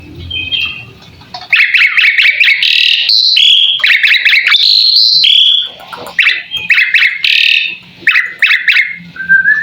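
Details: Asian pied starling (jalak suren) in full song, presented as a training recording for other cage birds: loud varied whistles, rapid chattering trills and sustained bright notes in quick bursts separated by short pauses.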